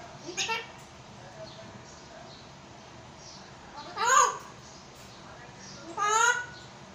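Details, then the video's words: African grey parrot in Pakistan talking in Urdu: three short, speechlike utterances with stacked, wavering tones, one near the start and two louder ones later, separated by quiet background hiss. "Parrot talking in urdu | Talking african grey parrot"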